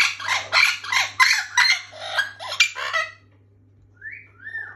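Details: A rescued pet orange-winged amazon (Amazona amazonica), a male, gives about eight harsh, raspy squawks in quick succession, then two clear whistled notes that rise and fall, over a low electrical hum.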